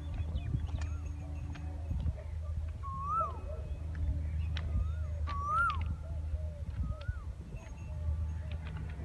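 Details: Asian koel singing beside a railway track: clear whistled two-part notes, each rising then dropping, given about four times at irregular intervals over a steady low rumbling hum, with faint clicks and scattered background noise.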